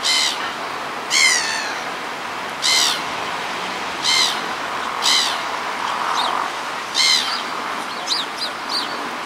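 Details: Black-headed gulls: one gives about seven harsh, nasal, slightly falling calls, one every second or so, demanding something while ignored, over a steady background hiss.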